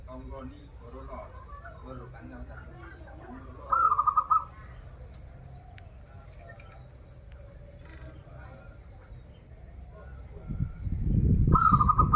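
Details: Local zebra dove from Banten, Indonesia, a keen singer of the krital and warung kebek song styles, gives a short rolling trill of rapid cooing notes near four seconds and again at the end, with faint voices and a low hum behind.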